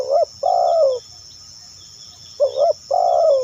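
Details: Spotted dove coos for luring other doves, two phrases each made of a brief rising note followed by a drawn-out, slowly falling hoot, with a constant high-pitched insect whine behind.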